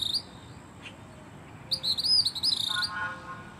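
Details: A gray kingbird singing at Siesta Key, Florida gives one second of rapid, buzzy, high chattering notes, followed by a few lower, softer notes.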